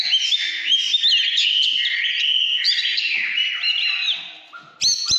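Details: Oriental magpie-robin singing in the căn lửa style: a rich, fast run of clear whistles and slurred notes, rising and falling, briefly fading near the end before a loud, bright whistled burst returns.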